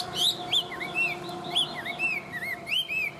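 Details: Tame Chinese hwamei singing well in a cage: a string of bright, arched whistled notes, each rising then falling, repeated at a lively pace of about three per second, with a faint steady hum behind.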